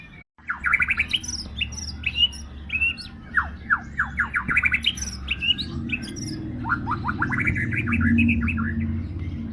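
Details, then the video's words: White-rumped shama song of varied sharp whistled notes, quick down-slurred flicks and short rising phrases in bursts, over a steady low rumbling background noise that grows louder toward the end. "burung murai gacor"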